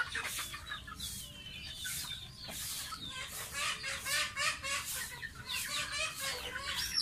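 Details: Gosling, a pet domestic goose, bathing: a dense run of high, bending peeps, several per second, mixed with rhythmic splashing that grows stronger toward the end.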